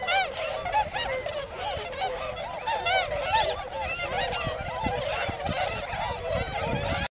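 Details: A dense chorus of wintering tundra swans, several hundred, on farmland rice paddies in Yasugi, Shimane, Japan, where they feed on fallen grain: many overlapping high, nasal, yelping honks, some rising and falling, calling continuously without pause.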